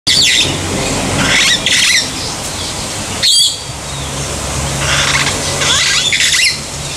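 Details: African green pigeon at Umgeni River Bird Park, Durban, on 12 December 2015, giving harsh, wheezy squawks and rasping bursts in several bouts over a steady low rumble of traffic.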